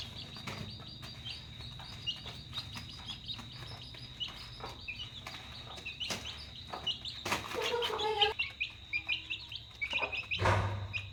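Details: Chicks peeping at dinner time, with scattered high, short cheeps repeating irregularly above a low hum, interrupted by two loud broadband clattering bursts, likely from feeding.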